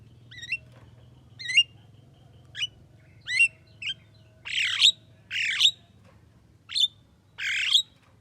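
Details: Javan myna, said to be able to talk, running through a varied sequence: thin looping whistled notes at first, then broad grating squawks mixed with sharp whistles, nine phrases in eight seconds, low hum behind.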